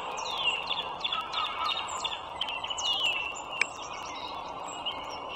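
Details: Bald eagle calling from its nest by the Dulles Greenway toll road in northern Virginia, 21 March 2023 at 09:15: a burst of shrill, downward-sliding squeals, then quieter scattered chirps, over a continuous low roar.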